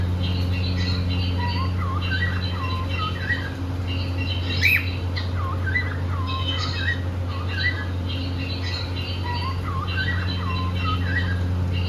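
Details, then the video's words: Indoor pet cockatiel couple singing and playing happily; a string of bright curving chirps, some rising and some dropping, repeated quickly with brief pauses, against a constant low humming background. "Happy cockateil bird singing and playing"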